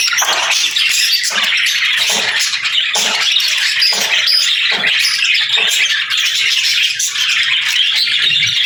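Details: A budgerigar flock chatters continuously, rapid chirps and rasping squawks overlapping, with louder pulses recurring roughly every second.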